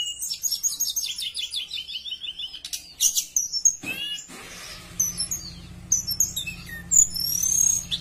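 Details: A Horsfield's bush lark pours out a fast, varied, high-pitched song of chirps, short trills and slurred whistles, with a low hum underneath in the second half; used as a lure to make other bush larks sing.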